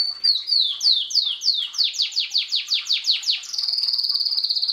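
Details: Domestic Belgian canary in 'bagassando' song, sung in 2016 to teach chicks; a run of falling whistled sweeps that quickens, then switches to a fast, even, high trill.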